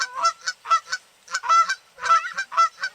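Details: Several Canada geese swimming on a lake call to each other, giving quick, overlapping bursts of nasal two-part honks about every half second.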